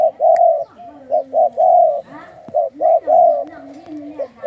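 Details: Caged spotted dove from a 'khu ang' bloodline, singing a steady low coo. Two quick notes lead into a long, even coo, and the pattern repeats about three times. Faint softer cooing is heard underneath.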